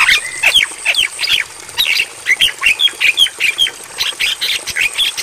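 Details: Javan myna training recording for night playback: lively jumble of harsh squawks and short whistled chirps, delivered in quick succession, some notes sliding down.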